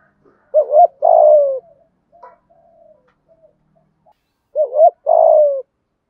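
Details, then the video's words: Morning cooing of a decoy spotted dove luring wild doves: a quick two-part rising-falling note followed by a drawn-out descending coo, given twice roughly four seconds apart, with soft low sounds in the gap. "Tiếng chim cu gáy mồi gáy gọi bổi buổi sáng. cu cườm gáy gọi bổi nghe gáy theo liền"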